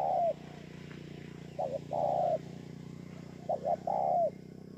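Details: Cooing song of a spotted dove recorded in Bờ Y, Kon Tum, Vietnam, 28 November 2017. Phrases of two quick notes and a long falling coo, spaced about two seconds apart, over a noticeable low background hum.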